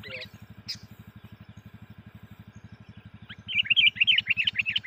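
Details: Lure call of a Sooty-headed bulbul, meant to provoke wild bulbuls: after a few stray chirps comes a lively burst of rapid, jumbled chattering notes, with a steady throbbing engine beneath throughout.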